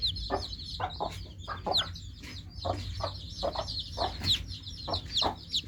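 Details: Newly hatched chicks chirp constantly, their piercing peeps dropping sharply in pitch and crowding together, with short lower clucking bursts scattered through the chorus.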